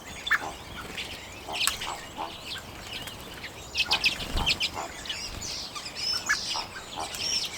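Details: Flock of common redpolls eating sunflower seeds in late January 2022, taken with a Canon EOS M50; scattered sharp high chips and brief twittering bursts, busiest around four seconds, with soft rustling between.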